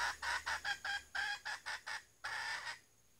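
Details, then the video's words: Lure hen red junglefowl, still calling after being startled: a fast series of about ten harsh, raspy clucks in under two seconds, then a brief pause and one longer, drawn-out squawk. "Ayam hutan pikat betina 11"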